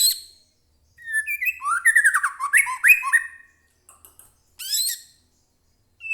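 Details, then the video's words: White-rumped shama kept in captivity, in full agitated song meant to lure other birds into answering. It pours out a fast run of sweeping, warbled whistles, followed by a few short sharp notes and high, scratchy chips. "murai batu gacor AMPUH buat pancingan murai batu agar bunyi JADIKAN burung murai gacor EMOSI NYAUT"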